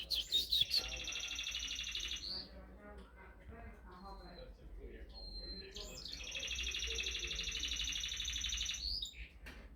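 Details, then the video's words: Canary singing in two long bright trilled bursts, high and rapid, separated by a quieter stretch with soft chirps and a few thin whistled notes, low background hum throughout. "Beautiful singing of a canary"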